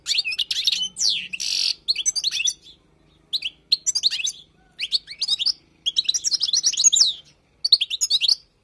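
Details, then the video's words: A wild goldfinch sings for tutoring purposes: a harsh buzzy note opens, followed by clustered bright twittering phrases separated by short gaps, notes chirpy and rapidly slurred. "تغريد حسون خلوي للتعليم"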